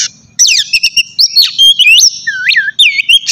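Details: Kacer, or Oriental magpie-robin, in a morning session meant to excite a kept bird into song: rapid bright whistled notes, looping up and down, with crisp clicks between phrases.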